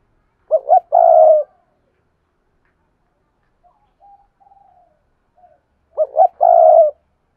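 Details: Spotted dove used as a decoy, cooing to draw in wild doves. Two phrases, each of two short clipped notes followed by a long, steady, throaty coo, are separated by soft faint murmurs in a quiet setting.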